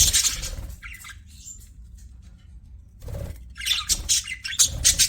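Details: Budgerigars kept as pets give short bursts of scratchy chirps and squawks separated by a quiet gap, the chatter returning louder and faster at the end.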